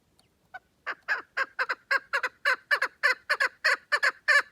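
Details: Chukar partridge calling: a few scattered notes open, then a fast series of harsh, clucking double notes builds in loudness and pace, repeating about twice a second to the end, with no other sounds.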